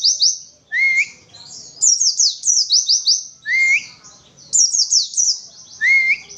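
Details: Oriental white-eye (pleci), untrained, giving witwitwit song: rapid strings of shrill, slurred high chirps interleaved with three rising whistled notes, lively and continuous with a quiet background.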